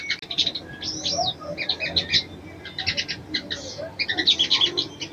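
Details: A female sogon calls a male to stir his breeding urge. Sharp high chirps mix with a few slurred whistles and quick chattering bursts, and faint low background hum runs underneath.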